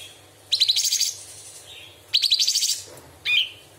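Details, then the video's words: Straw-headed bulbul in masteran song with imitated birds and insects: two long fast high trills of clipped notes a second apart, ending with a short rising whistle. "Cucak cungkok istimewa tembakan istimewa tajam beset materi full isian"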